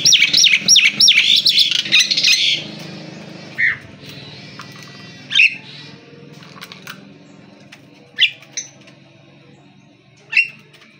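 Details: Nias hill myna song: a burst of loud, rapid whistled notes, then spaced single whistles and squawks separated by pauses of a second or more, with faint background hum.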